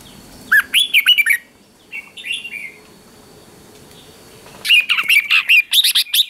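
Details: Red-whiskered bulbul giving 'ché' morning song for training: a short warbled phrase, a faint softer one, then a long lively string of rapid whistled notes at the end.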